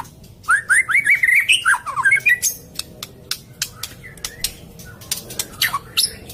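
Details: White-rumped shama song used as a lure: a quick run of clear whistled notes, rising and falling, for about two seconds, then a series of sharp clicking ticks spaced through the rest.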